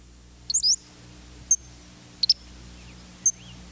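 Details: Acadian Flycatcher of southeastern swampy woodlands giving its sharp call notes: high, explosive, a quick two-part burst then single 'peet' calls about a second apart, over a faint low hum.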